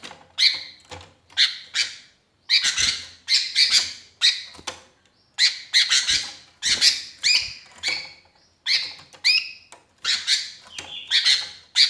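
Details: Sooty-headed bulbul calling for companions as a lure bird: rapid, rasping chatter in irregular clusters, harsh buzzy notes repeated with brief gaps.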